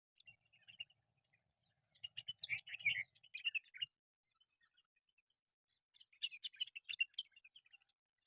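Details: Wild mynas in a local nature reserve giving bursts of sharp, chattering high chirps and squeaky notes, one busy run mid-clip and a second burst near the end, quiet gaps between.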